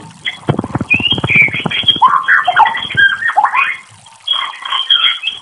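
White-rumped shama opening with a rapid burst of dry clicks, then a varied run of rich whistled phrases that rise and fall, pausing briefly before resuming.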